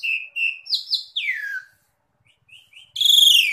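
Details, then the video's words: Asian pied starling song for training caged birds: two steady whistles, rising slurred notes and a falling buzzy phrase, near-silence with soft chirps, then a loud rich whistled burst. "JALAK SUREN GACOR DOR DOR"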